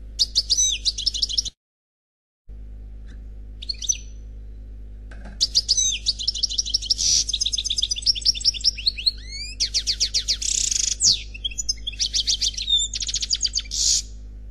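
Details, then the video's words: Khalwi song from a lone unpaired European goldfinch: long, varied outpourings of high rapid twitters, sweeping slurs, trills and buzzy notes, broken by a brief silent gap and a short pause, over a steady low hum. "Chant Chardonneret Khalwi Célebataire"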